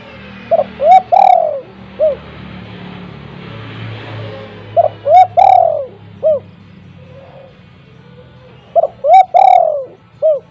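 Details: Spotted dove kept at home, its call used as a lure to get silent doves calling: three four-note coo phrases about four seconds apart, a short note, a rising coo, a long falling coo, then a short closing note, over low hum.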